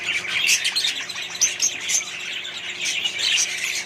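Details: Australian budgie colony mixed with other birds, a busy wall of bright, high twittering notes and short chirps from many birds together, rising and falling in loudness.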